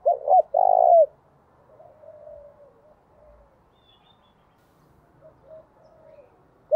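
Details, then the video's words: Decoy spotted dove calling in the gáy thúc and gáy gọi styles used to provoke wild doves. A short, loud phrase of two quick coos and a longer drawn-out coo leads off, then quiet, muffled coos trail after. "Tiếng Chim Cu Gáy Thúc + Gáy Gọi Dùng Kích Bổi"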